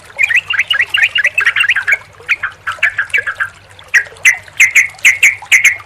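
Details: Combined sooty-headed bulbul sounds meant to make a silent bulbul sing: a burst of quick chattering, uneven squeaky notes, then a regular run of sharp whistled chirps about twice a second, with a low hum.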